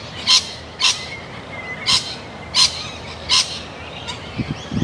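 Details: Sulphur-crested cockatoo giving harsh, broad screeching calls: five loud bursts spaced roughly half a second to a second apart, with a thin whistled note in between and low rumbling noise near the end.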